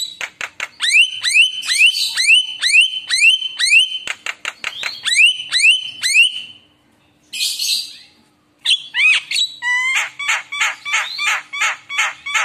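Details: Javan myna in lively, full song used as a lure to set other mynas singing: a run of sharp rising whistled notes roughly twice a second, a brief pause, then a hissing burst and fast chattering phrases.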